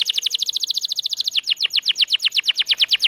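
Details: Canary song meant to lure mute birds into song: a rapid trill of short repeated notes that slows midway into spaced, deeper downslurred pulses.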